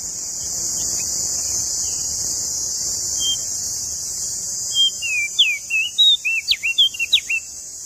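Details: Lombok tailorbird, prenjak daun, in lively full song: after quiet opening notes, a fast run of sharp, high whistled notes, some slurred and some falling steeply, over a steady high hiss.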